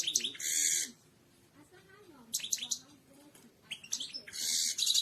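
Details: European goldfinch song meant for training birds to sing: loud buzzy, harsh twitter bursts at the start and end, separated by quieter stretches of scattered chirps over a steady background noise.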